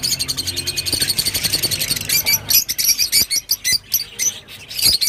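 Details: Shrill, rapid twittering from a rosy-faced lovebird, an even run of squeaky notes breaking after two seconds into sharper, separated chirps.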